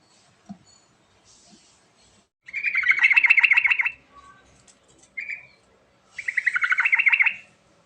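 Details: Yellow-vented bulbul singing vigorously to coax silent birds into song. Two loud, rolling, bubbly phrases of fast, throaty notes are separated by a short whistled note, with faint soft ticks between them.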